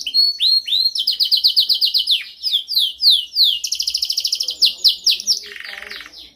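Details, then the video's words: Canary song used for training: loud, continuous high trills and rapid repeated notes, with downward-sweeping phrases, fast pulsed rolls and a lower buzzy trill near the end. "Canção mais dominante de canary para treinagem."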